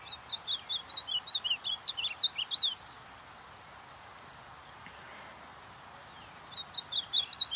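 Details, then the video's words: Ultramarine grosbeak, a tournament and fibre-singing bird being warmed up, sings a quick run of high, sweet, slurred notes for nearly three seconds, pauses, then starts again, while a faint steady high tone continues throughout. "Esquente Seu Azulão!"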